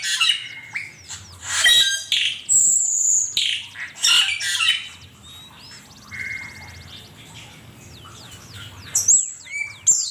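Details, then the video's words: Asian pied starling song used as a master recording for training songbirds: a jumble of high whistles, sharp chirps and buzzy rattles, with rising and falling notes and brief pauses between bursts. "Suara burung cucak keling masteran jitu 100% camperling"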